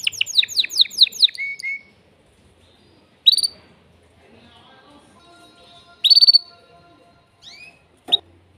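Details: Male canary singing to stimulate a female for mating: a fast run of descending high notes, then scattered loud bursts and rapid high trills separated by quiet gaps, with a faint steady tone in the background.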